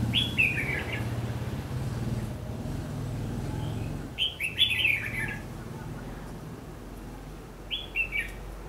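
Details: Red-whiskered bulbul delivering its fighting song, used as a lure for trapping, 14 December 2015; three loud bright warbled phrases of quick descending notes, spaced about four seconds apart, over low background noise.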